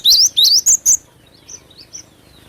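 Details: Lure recording of a lively cinereous tit (glatik batu): four sharp, high whistled phrases in rapid succession, each a rising slurred note, followed by softer faint chirps.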